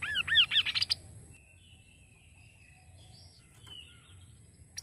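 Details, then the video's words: Kaso kaso bird, played to stimulate singing: an opening burst of arched whistled notes quickening and rising, followed by quiet with faint thin tones and low hum. "Suara burung Kaso kaso"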